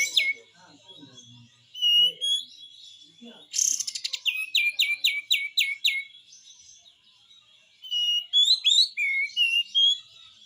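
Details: Pied triller singing actively, besetan style: scattered chirps, a loud rasping burst, then a quick run of six descending notes, a pause, and more twisting chirps near the end.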